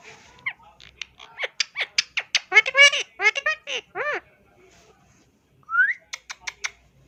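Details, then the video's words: Pet ring-necked parrot talking indoors: a run of short, rapid, squeaky speech-like syllables with harmonic rising and falling notes, a brief pause, then a quick rising whistle and a few more sharp clipped syllables near the end. "Funny Talking Ring Neck Parrot"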